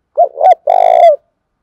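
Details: Spotted dove coo used to attract other birds: two short, low, hollow notes, then a loud, sustained, finely pulsing coo that tails off downward, all within about a second.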